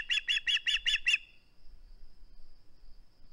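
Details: Osprey at its nest, refusing to give up a flounder it holds: a quick run of six loud, sharp chirping notes, evenly spaced over about a second, then quiet with faint low rumble.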